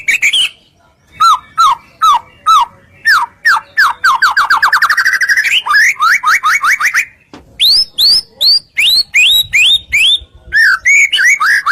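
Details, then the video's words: White-rumped shama (murai batu) in continuous 'gacor' singing, used as a lure to provoke other shamas into answering: loud downslurred whistles, a fast rising run of notes, then bright upslurred whistles repeated about twice a second. "Putar sebentar burung murai apapun langsung ikut NYAUT"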